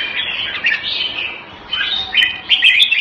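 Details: A jambul (red-whiskered bulbul) kept by a bird hobbyist sings two rich warbled phrases, the first slurring up and down, the second rising brightly after a short quiet gap.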